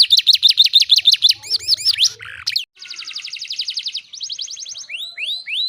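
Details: Canary lure song to set other canaries singing: rapid pulsed high notes, looping whistles, then rattling trills at mid-high pitch and a few slow rising sweeps at the end.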